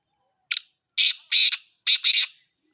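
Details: Black francolin calling: one short harsh note, then two grating pairs of rasping notes, each phrase loud and scratchy, in a quiet setting.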